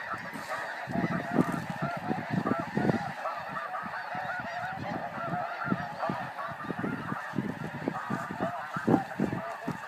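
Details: A large flock of snow geese on the wing fills the air with a steady, unbroken clamour of high nasal yelps and honks, punctuated by low thuds.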